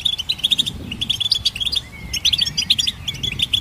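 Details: Goldfinch song: fast, high twittering chatter of short bright chirps and trills, with a thin rising whistle near the middle, steady and without pause.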